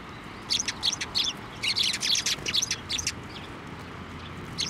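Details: Sparrows at a Tenmangu shrine, 23 November 2023, coming to a hand to take food; a lively run of short, high chirps repeated in quick bursts for about three seconds over a faint low rumble.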